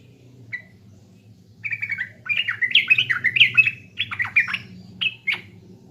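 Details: A single note, then a sooty-headed bulbul from East Java launches a pancingan lure song of tumbling chirps and slurred whistles, pausing briefly before closing with two sharp notes.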